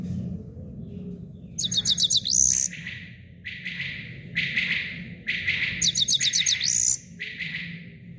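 A grey-crowned goldfinch sings bright, tinkling high trills in two quick bursts, mixed with repeated buzzy, nasal twitters, over a low steady background rumble.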